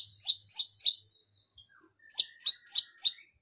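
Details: White-rumped shama giving full song: three quick high chipped notes, a brief pause with soft low notes, then four more sharp chips in an even series about three per second.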